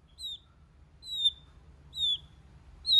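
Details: White-rumped shama repeating a single thin, high whistle that falls slightly, roughly once per second, with silence between notes.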